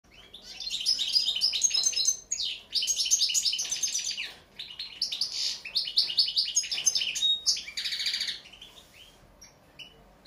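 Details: European goldfinch singing a long, rapid, high-pitched twittering song of tinkling chirps, trills and buzzy notes in dense bursts, with brief pauses near two and four and a half seconds, ending in scattered single notes.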